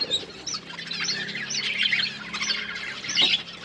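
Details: Colourful pet budgerigars give scattered high chirps and short squeaky warbles, softer and more spaced than a full chorus, with rustling and a steady faint hum in the background.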